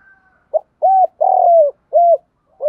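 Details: Spotted doves, male and female, cooing to lure others: a short note, a smooth hollow coo, a long rough rolling coo, another clean coo, then the start of a new phrase.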